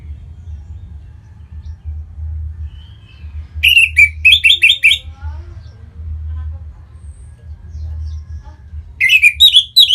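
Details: Song of an Orange-headed thrush used to stimulate other birds to sing, northern Bali. A rapid series of short, bright, repeated whistled notes, then a pause, then a second cluster of similar notes at the end, with a low hum.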